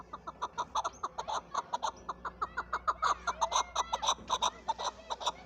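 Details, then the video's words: Chukar partridge, the national bird of Pakistan, repeating short harsh chucking clucks in a rapid, slightly irregular rhythm for over five seconds, with a steady background hum. "chakor ki awaz zark awaz"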